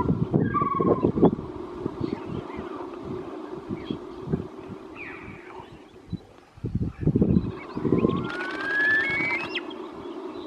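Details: Caspian snowcock giving rising whistled notes, one short pair early and a brighter climbing whistle near the end, partly masked by constant low rumbling noise.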